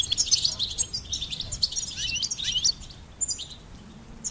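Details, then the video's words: A goldfinch pours out rapid, shrill twitters with a few downward-slurred notes, fading to scattered chirps after a brief lull. "Goldfinch Singing and Song Compilation"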